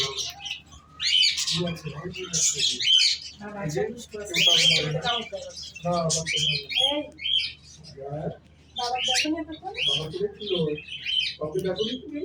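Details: Pet cockatiel at home giving high, harsh chirps and squawks in clustered bursts, mixed with lower murmuring sounds and a soft background hum.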